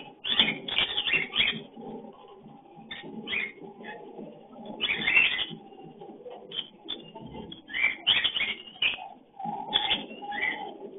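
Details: Several lovebirds give a mating or breeding call, chattering in rapid bursts of shrill, high squeaks and chirps, with a steady low hum underneath.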